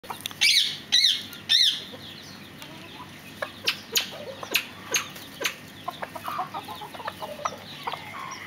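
Fireback pheasant giving three loud, harsh bursts, then a run of short, dry clucking notes at about two per second, with soft background hiss.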